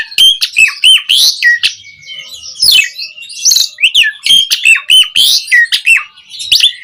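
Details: Asian pied starling in full song, used as a lure recording to stir caged starlings into singing; loud, varied whistles and sharp chirps pour out in quick bursts, with rising and falling notes and brief harsh squawks.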